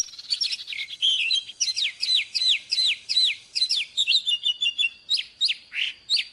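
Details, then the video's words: Oriental magpie-robin, a mature wild-caught bird, singing in the morning for training caged birds. A continuous run of loud downslurred whistles repeated about twice a second, ending in varied rising and falling notes. "เสียงนกกางเขนบ้านหรือนกบินหลาขี้ควายใต้ Choè than Già rừng hót zbuooir sáng cực hay"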